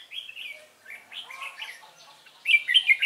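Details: Red-whiskered bulbul decoy singing on 12 November 2017 during trapping to provoke wild rivals: soft, slurred warbled notes, then a louder, rapid burst of chattering phrases at the end.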